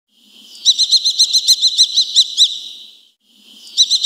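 A Eurasian kestrel gives a rapid, shrill kee-kee-kee, about a dozen sharp notes in two seconds, then starts a second burst.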